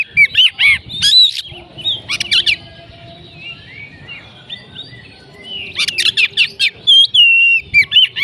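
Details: Oriental magpie-robin, a kept bird, delivering loud bursts of sharp whistles, rising and falling slurs and chattering phrases, pausing for about three seconds midway before resuming a rapid varied series.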